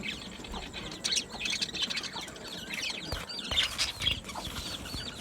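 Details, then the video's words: Budgerigars in an aviary colony chattering together, with warbled, wavering chirps running over one another and brief louder bursts against a low background rumble. "Beautiful Budgie singing and chirping sounds"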